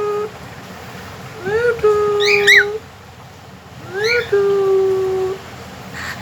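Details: A pet cockatiel sings two clear whistled phrases. Each opens with a quick upward slide, then holds a long steady note of about a second, with a brief rising flourish between them.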